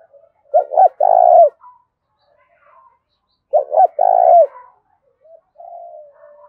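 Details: Wild-caught spotted dove giving fierce territorial contest calls in the mixed 'thổ pha đồng' voice style: two phrases about three seconds apart, each a quick paired coo then a long rolling coo, with faint soft notes between.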